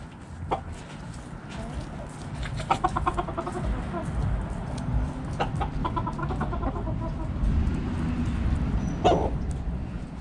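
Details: Backyard hens eating in the coop, giving short, stacked clucks in scattered bursts, some quick runs of several clucks, over a steady low rumble of background noise.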